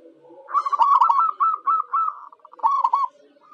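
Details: Zebra dove of local stock, kept as a lure for wild birds, delivering a quick rolling chain of soft cooing notes that slows into evenly spaced coos, then one brief stuttered phrase.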